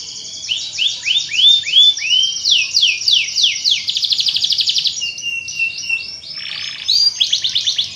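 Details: Canary song meant to get other canaries singing quickly: continuous high trilling with repeated curved swoops, a fast rattling roll, then mixed buzzy notes and a final burst of swept whistles.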